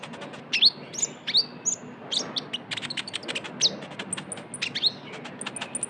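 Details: Van Hasselt's sunbird, locally konin or kolibri ninja, trotol lure song: loud, sharp, rising whistles at the start, followed by a nonstop rattle of very high ticks and short buzzy chirps.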